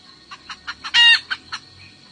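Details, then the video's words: A wild hen from the highlands calls the rooster with one loud, rasping squawk, framed by a run of short, evenly spaced clucks before and after, against a constant thin high whine. "Tiếng gà mái keo gọi trống"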